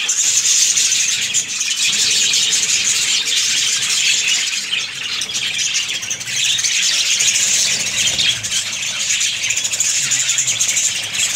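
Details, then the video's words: Constant chorus of budgerigars in a breeding colony, shrill chirruping and squeaky warbles blending into a dense high-pitched din, occasional louder squawks standing out. "Budgies Parrot colony Progress"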